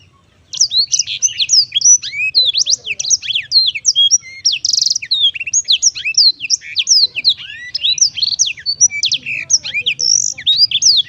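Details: Cheerful, melodious song of a Black-throated canary, a long unbroken stream of rapid high twittering notes, sweeping up and down, with a faint low hum underneath.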